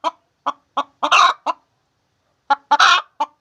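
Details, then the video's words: A hen laying eggs gives a few evenly spaced clucks, then a long harsh squawk, falls silent for about a second, and repeats with clucks and another squawk. "The Sound of a Hen Laying Eggs"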